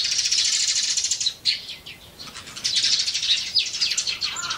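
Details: Eurasian tree sparrows near human dwellings: dense, continuous high chirping and chattering from several birds, briefly dropping away mid-clip before resuming just as busy.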